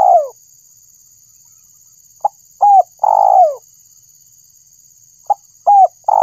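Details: Spotted dove call used to lure birds: a low coo at the start, then after a pause two phrases of a short note, a hooked note and a long cooing note sliding downward, with a steady high electronic whine throughout.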